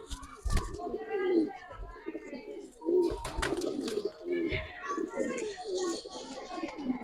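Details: A collection of Giribaz pigeons, a domestic breed, cooing in deep, throaty bursts repeated every second or so. Sharp knocks break in at intervals, and human voices murmur in the background.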